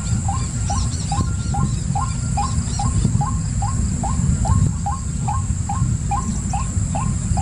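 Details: Repeated, evenly spaced hooked notes from a white-breasted waterhen, around nineteen in quick succession, set against strong low background rumble and faint distant chirping.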